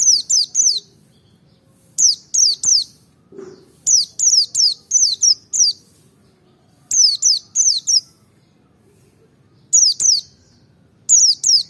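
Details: Merapi white-eye provoking song: short groups of three to five high, falling, slurred notes recur every couple of seconds across the stretch, with a brief soft low sound near the middle.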